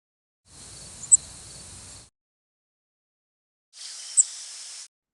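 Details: Cape May Warbler flight calls in morning flight during fall migration (mostly early to mid September), given by birds flying high: two very brief, high, thin, piercing notes with a slight descending soft-buzz tail, about three seconds apart, over steady hiss.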